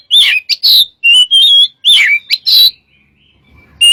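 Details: Caged white-rumped shama used as a lure recording, delivering loud clear whistled phrases and sharp chirps in quick bursts, then a short pause before one more whistle.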